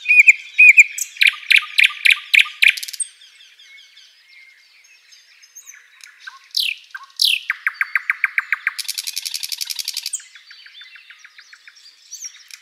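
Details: Thrush nightingale singing at sunrise in a spring forest, loud repeated chock notes, a pause, sweeping slurred notes, a quick series of clicks and a long buzzy rattle.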